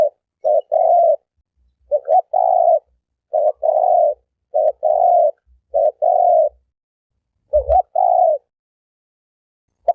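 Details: Turtle dove giving steady mid-pitched coos in repeated pairs, a short note followed by a longer droning one, about seven pairs in ten seconds, with faint low thumps in the background.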